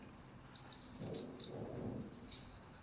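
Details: Blue-crowned hanging parrot master recording for training birds: a short burst of very high, thin whistled chirps lasting about two seconds, with faint low rustling beneath.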